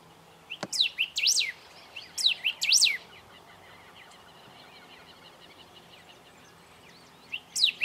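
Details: A golden-billed saltator sings in Esperanza, Argentina, in 2019. It gives short bursts of loud, slurred whistles, rising and falling, in clusters with pauses, from a high branch where it may stay for minutes; faint distant birds and light hiss behind.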